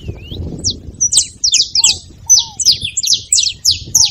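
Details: A saffron finch sings a bright, fast series of sharp, high chirped notes, some slurred downward, filling about four seconds. It is meant to encourage a reluctant canary to sing. Occasional lower, quieter whistled slurs and low rumble sound in the background.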